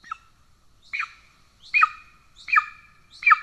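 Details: Golden eagle nest in Estonia on 17 July 2024, the male arriving with a pigeon, the young already fed: somewhat softer, high, drooping yelps repeated roughly every 0.7 seconds over faint low rumbling.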